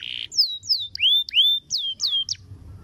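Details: Canary singing a training master phrase: a short buzzy note, then loud clear whistles sliding sharply downward, each repeated with brief pauses, a couple dipping lower, in a quiet setting.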